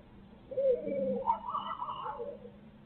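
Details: Barred owl from a Midtown Tulsa live feed: a low wavering hoot that climbs into a higher, drawn-out wail and then fades back down, with a faint hum behind.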